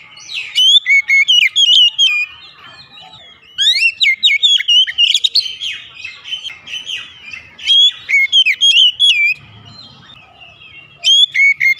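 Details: Oriental magpie-robin singing repeatedly in the morning, with rich, varied whistled phrases full of rapid slides and chirps, delivered in bursts of about two to three seconds separated by short pauses.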